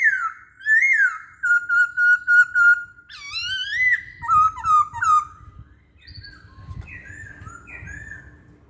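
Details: Masked laughingthrush whistling as lure material to set other songbirds off: a rising-falling whistle, a steady series of short level whistles, a loud bubbling phrase, and softer trailing notes with low background rumble.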